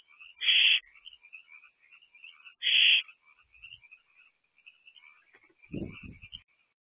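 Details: Nest-box owls calling on the evening of 23 April 2024: two loud, hoarse hissing screeches are followed by steady soft high chittering, then a brief low rumbling thump near the end.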